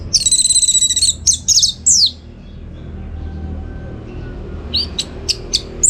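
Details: Orange-headed thrush, a trained bird for song contests in North Bali, Singaraja, giving a burst of rapid high trilled phrases, then pauses and later a few sharp chirps; faint room hum throughout.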